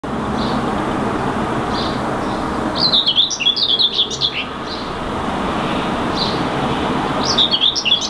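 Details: A Common Whitethroat perched in a tree gives two brief, scratchy, jumbled song warbles about four seconds apart, over a steady low rumble of distant traffic or wind; Helsinki, Finland, May 2019.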